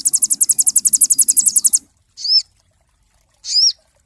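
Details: Cinereous tit song used as a master recording for training songbirds: a rapid, even, high trill of about eighteen sharp notes over two seconds, then two separate high downslurred whistled notes, with a faint low hum beneath the trill.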